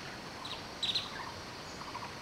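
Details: Wild vernal hanging parrots feeding at Nameri in the Himalayan foothills of India: two quick, thin, high squeaky notes, with fainter chirps before and after over a steady background hiss.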